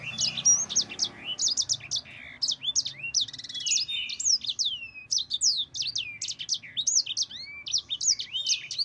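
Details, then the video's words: Yellow-fronted canary (sanger) singing a long rolling 'ngerol panjang' song, kept as a tutor for other birds: rapid run of sharp whistled notes and downward-sweeping slurs, broken into quick bursts with very short pauses. "Suara Burung Sanger Gacor NGEROL PANJANG PEDAS"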